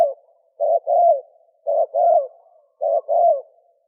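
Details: Thổ kim cooing of spotted doves, male and female, used to lure wild doves: three evenly spaced two-note phrases, a short hollow coo followed by a drawn-out downslurred coo, about one per second.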